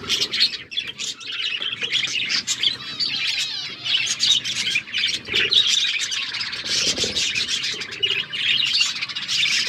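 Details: Several budgerigars chattering as they feed on seeds, continuous bright twittering and squeaky chirps rising and falling in loudness, with faint low rustles underneath.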